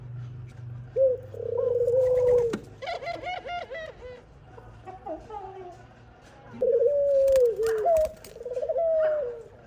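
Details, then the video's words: Young dove being fed by its mother, giving drawn-out, slightly falling whistles alternating with rapid pulsed, wavering notes, with brief gaps between the phrases. "Khumra bird mother feeding her baby | khumra birds voice | dove birds sound"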